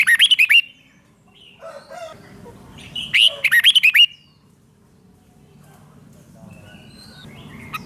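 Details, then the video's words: Caged-bird stimulation song of a Red-whiskered bulbul in the rik style: a short burst of quick, bubbly notes, a brief pause with soft chirps, then a longer phrase of about seven rapid notes before quiet. "เสียงนกกรงหัวจุก ร้อง ริก เปิดให้นกฟัง ยั่วให้นกคึกจัด chao mao"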